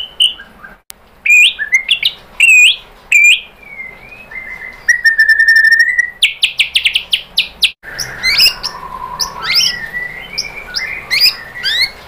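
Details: White-rumped shama singing as a lure meant to stir rival shamas into answering. Loud whistled notes and slurred sweeps lead into a buzzy rattling stretch, followed by a dense, varied jumble of chirps and whistles.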